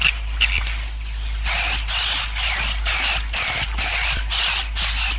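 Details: Swiftlet colony roosting call, used to help a colony grow, gives a steady run of harsh, buzzy chirps, each with a thin high whistle on top, about twice a second over a faint low hum.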